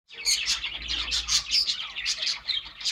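A young budgerigar gives rapid, scratchy high chirps in a busy, continuous stream.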